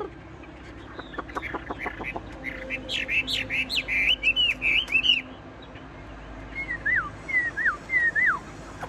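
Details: A tame caged Chinese hwamei, singing tirelessly even as its cage is shaken, pours out varied loud whistled phrases with clipped notes, then rapid looping slurs, and after a pause, three clear descending whistles.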